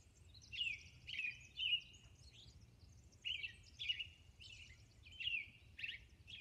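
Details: Robin singing at dawn on Orcas Island: bright whistled phrases delivered in a steady series, each slurring down then leveling, with thin high notes between and a quiet low hum behind.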